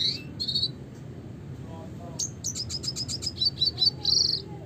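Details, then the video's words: Classic song of the red siskin (Spinus cucullatus): a couple of high chirps, a short gap, then a quick series of bright repeated chip notes closing in a buzzy trill, over a low background hum. "suara kicauan burung red siskin klasik gacor"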